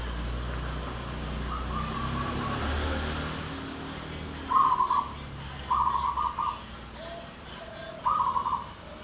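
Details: Anggungan song of a local perkutut, or zebra dove: an early faint phrase, then three clearer rolling, trilled coos spaced a few seconds apart, against constant vehicle and engine noise.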